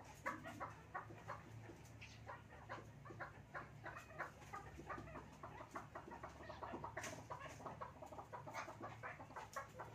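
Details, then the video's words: Chukar pair, male and female, playing together; quick, harsh clucks repeat in an uneven stream about three per second, some notes louder and sharper, over a low steady hum. "Chukar pairs Playing • Chakor Male and Female bird sound"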